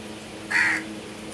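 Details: Crow giving a single harsh caw lasting about a quarter second, over a steady low hum in the background.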